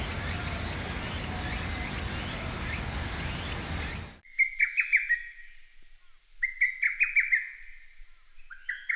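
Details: A lesser cuckoo sings in spring to early summer, giving two loud, emphatic phrases of five or six quick, sharp notes a few seconds apart, after a brief stretch of broad rushing noise.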